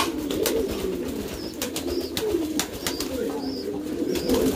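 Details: Pouter pigeons, an ornamental variety of the rock dove, cooing in a loft: a low, bubbling chorus of overlapping coos with faint high chirps from small birds and clicking noises.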